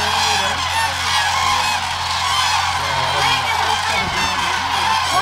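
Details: About 30,000 migratory Common Cranes from Siberia and Eastern Europe feeding on corn and peanuts at Hula lake, upper Galilee, Israel, winter, 31 December 2011; a dense, unbroken chorus of overlapping trumpeting, rattling calls over a steady low engine hum.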